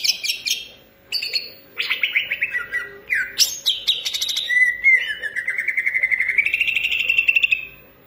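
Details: Indonesian cucak ijo, a green leafbird, singing vigorously: clipped high chips and buzzy bursts lead into a sustained, slowly rising trilled whistle lasting several seconds.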